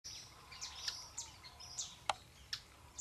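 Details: Orinoco spinetail (Synallaxis beverylae) on river islands near Puerto Ayacucho, Venezuela/Colombia, giving high, sharp chips and short squeaky notes at an uneven pace, about one a second, over a faint background hiss.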